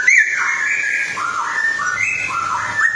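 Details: Straw-headed bulbul singing a continuous, liquid, bubbling warble of whistled notes that step up and down in pitch, with a brief higher twist at the start and end.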